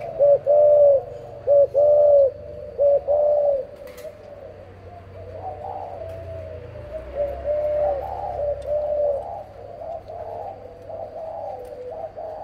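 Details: Cooing of a dove from a parent pair: three clear, low, hooting phrases in quick succession at the start, then softer, fainter coos continuing over a constant low hum.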